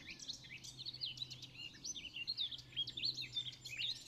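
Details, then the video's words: Common nightingale at RSPB Pulborough Brooks singing a rapid, unbroken run of varied chirps, sweeps and sharp whistles, high-pitched, over a faint low hum. "Nightingale Singing"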